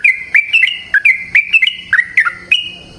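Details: Brief burst of a wild yellow-vented bulbul's energetic ropel panjang song: about a dozen quick, liquid, slurred whistles, irregularly spaced, bright and clear over quiet background.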